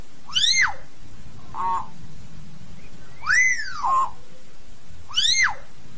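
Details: Common hill myna singing to call the flock: loud, ringing whistles that rise and then drop sharply, given about every two seconds, with a lower nasal note between them, over a steady low hum.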